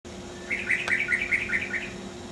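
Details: A distant Dollarbird, perched among leaves, calls out loudly with a quick run of about eight harsh, chattering notes over a second and a half, with a sharp click and a low steady hum behind.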